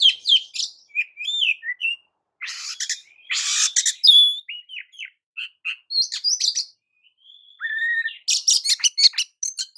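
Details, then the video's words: Varied Oriental magpie-robin song aimed at provoking rivals: chirps and whistled slurs, harsh buzzy bursts, a long even whistle, then a rapid run of sharp notes. "JENIS KICAU KACER TERAMPUH JADIKAN KACER AMAPAT LANGSUNG TERPIKAT EMOSI!"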